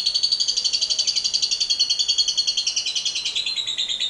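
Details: Lovebird giving a long 'ngekek panjang' chattering trill, used as a lure to stimulate other lovebirds: a rapid, even run of harsh, buzzy pulses, about seven a second, slowly falling then rising slightly in pitch.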